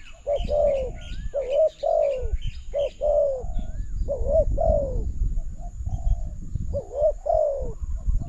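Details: Spotted dove answering a decoy in a trapping session at a new trap enclosure; repeated low, slightly rising then falling coo phrases, with higher chirping birds and low rumbling background noise.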